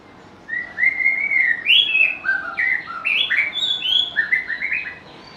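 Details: A white-rumped shama delivers a lively run of melodious whistles, short notes stepping up and down in pitch in quick succession for about four seconds, loud and clear over a quiet background.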